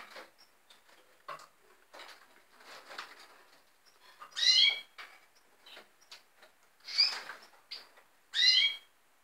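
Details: Red siskins; scattered soft clicks and rustles lead into three bright, nasal calls with stacked harmonics near the end, spaced one to two seconds apart.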